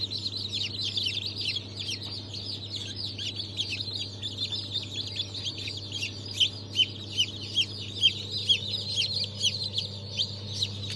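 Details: Newly hatched chicks, Brahma, Fayoumi, Australorp and Legbar, hatched 3 March 2023: a busy chorus of high, quick peeps from many chicks, growing louder later, above a constant low hum.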